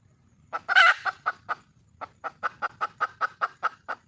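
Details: A wild junglefowl hen looking for a male gives one loud, grating squawk, then a long regular series of sharp, clipped clucks, about five per second, in a quiet setting.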